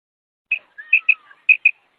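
A female common quail gives five quick, high chirped notes in two seconds, with a faint thin whistle drawn out beneath them.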